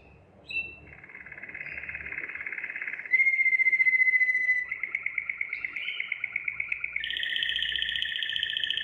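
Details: Singing Waterslager canary, a domestic breed valued for its clear, melodious voice. After a short rising note comes a steady buzzy trill, then a pure held whistle, and a loud rapid pulsed roll that climbs into a higher bubbling tour.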